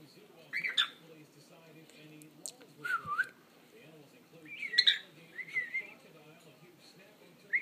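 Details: Pet parrot singing indoors: scattered whistled notes and slurred dipping whistles with a few clicks, spaced over several seconds, above a steady low room hum.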